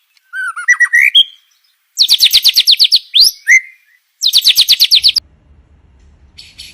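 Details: Clear white-rumped shama song for training other birds: a short rising whistled phrase, then loud bursts of rapid, high, chattering notes separated by pauses, ending with a faint low hum.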